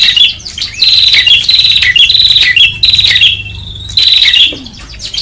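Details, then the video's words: Noisy prinia lure call, a run of grating, fast-trilled buzzy notes nearly back to back with small whistled inflections, briefly easing after four seconds then picking up again. "Prenjak Ribut Terbaru 2021 | Suara Jernih Audio Keras."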